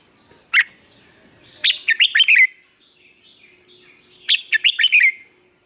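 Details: Red-whiskered bulbul singing in the morning as a training model for other birds: one sharp note, then a quick phrase of bright, descending slurred whistles, repeated after a pause, quiet background.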